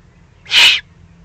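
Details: Excited eagle-owl chick in the German Eifel, recorded 21 June 2020: one loud, hissing, raspy begging note lasting about a third of a second, nothing else audible.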